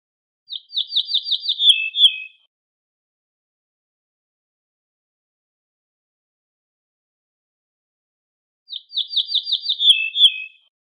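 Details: Ortolan bunting singing, two identical phrases about eight seconds apart, each a quick series of ringing, slightly buzzy repeated notes followed by a lower, drawn-out ending, with silence between.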